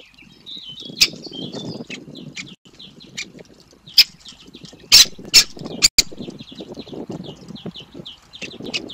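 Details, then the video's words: Great spotted woodpecker young begging for food during feeding, with a steady stream of thin high chirps and several sharp loud clicks or knocks, over a low rustling background. "Karmienie młodych dzięciołów dużych (Dendrocopos major)"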